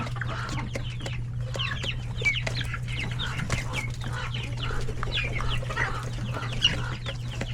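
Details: Coop with many chicks alongside chickens and roosters at lunchtime: busy overlapping high chirps sliding downward, some sharper squeaky notes, soft clucking and pecking knocks, with a persistent low mechanical hum underneath.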